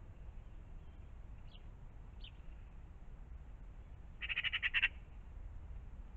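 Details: In the morning by a pond a magpie gives two faint squeaks, then a brief rough chattering burst of six or seven quick harsh notes.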